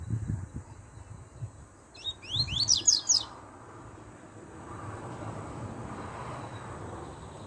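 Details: Double-collared seedeater singing: a brief burst of quick, sharply rising whistled notes lasting about a second, followed by soft low background rumble with no further song.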